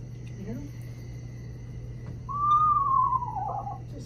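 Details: An Eastern Screech-Owl call played back during a night owl prowl in Georgia: a single quavering, horse-like whinny sliding downward over about a second and a half, over a steady low electrical hum.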